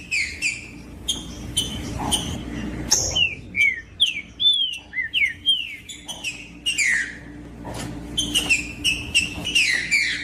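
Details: Green-winged saltator song played to warm up and provoke a bird: clear whistled notes, several slurred downward and rising phrases, with other high chirps mixed in and a steady low hum underneath.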